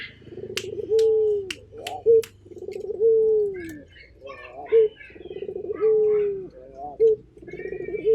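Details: Local Indonesian puter (Barbary dove) calling repeatedly: low, purring coos, each ending in a long smooth note, recurring every couple of seconds, with faint higher chirps and clicks behind.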